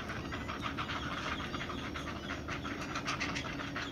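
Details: Waiting for their mother to arrive with food, large great blue heron chicks in the nest give quick, scratchy clicking pulses in an uneven series over continuous noise.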